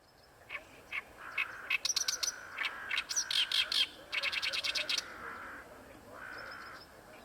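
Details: Oriental reed warbler singing at Ikeshima, a frequent singer in this area: harsh, chattering bursts of rapid repeated notes rising in intensity mid-phrase, with a steady lower droning tone running beneath much of the recording.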